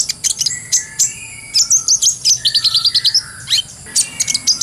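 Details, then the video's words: Brown-throated sunbird singing a clear, lively ngobra song for training other birds. A quick series of high, bouncing chirps and short twittered notes runs almost without a break, with a lower slurred note midway. "MASTERAN KOLIBRI NINJA (KONIN) SANGAT COCOK BUAT ISIAN FULL NGOBRA,GACOR,SUARA JERNIH"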